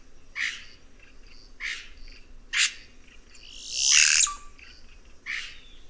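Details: Red-rumped cacique, known locally as guaxe, song: short harsh broadband notes repeated about every second, then a loud noisy rasping burst with a rising whistled sweep ending in a steady tone.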